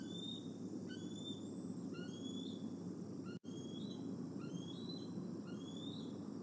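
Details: Evening at the Decorah eagle nest N1, August 26, 2020: a male bald eagle perching nearby utters sharp upslurred whistles in steady series, with low droning noise and a brief silent gap midway.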